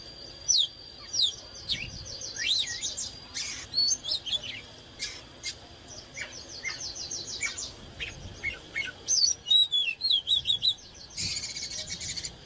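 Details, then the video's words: Oriental magpie-robin singing in fired-up style (căng lửa): fast rattling series of repeated notes, sharp chips and a few slurred whistles, with several broadband bursts. "เสียงนกกางเขนบ้านหรือนกบินหลาขี้ควายใต้ Chích chòe than CHÒE THAN CĂNG LỬA HÓT MÚA CỰC HAY"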